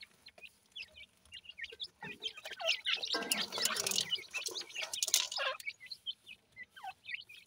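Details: Young francolin chicks peeping in quick, thin, down-slurred chirps. The calls are interrupted midway by a loud burst of rustling noise, then resume as scattered high cheeps.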